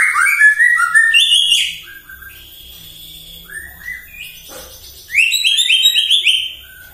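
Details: Morning song of a white-rumped shama used as a provoking bait for other birds: rich varied whistles, rapid chirped phrases and stepped high notes, a quieter middle stretch of soft slurred whistles, then a fresh loud burst.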